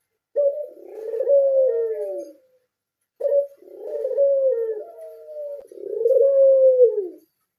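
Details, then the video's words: Three long throaty coos from a caged blorok Barbary dove. Each starts with a short accented note and ends in a falling slur, separated by brief gaps. "Suara burung puter blorok"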